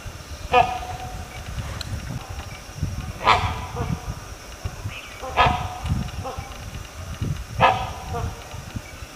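Great hornbill giving four loud, harsh, barking calls about two seconds apart, over a steady low rumble of background noise.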